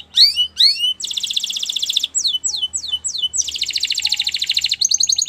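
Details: Canary song in quick-changing phrases: two rising swoops, a rapid buzzy high trill, a row of descending slurred whistles, another long rapid trill, then short bright repeated notes.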